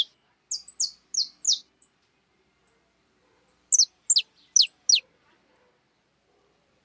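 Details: Wild birds eating cracked corn at a home feeder in Brazil; clusters of quick, high, downward-sweeping chirps separated by brief silences, with a few thin single peeps between the bursts.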